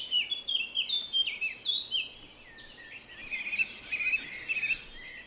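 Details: Birds chirping: quick high tweets and short whistled notes tumbling in rapid clusters, several overlapping, with a soft hiss of background noise.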